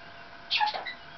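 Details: Pet Maximilian's pionus indoors, chatting with its owner while they wait for a delivery, gives one short, harsh, rasping squawk that dips slightly in pitch.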